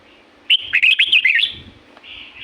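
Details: Red-whiskered bulbul in La-U forest, Thailand, from nature: one clear, cheerful phrase of quick tumbling whistled notes, trailing into a softer note, with faint low rumbling.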